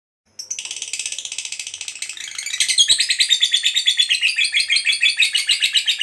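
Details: Fighter lovebird in a long ngekek, a trill used to draw other lovebirds into calling; begins suddenly as a fine buzzy rattle, then becomes a louder, coarser high chatter of quick repeated pulses.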